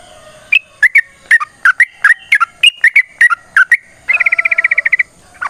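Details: ['Yellow-vented bulbul singing a long lure phrase meant to make other birds respond. Spaced, bright whistled notes rise and fall. They give way to a rapid even burst of about a dozen identical notes, then a final chirp.']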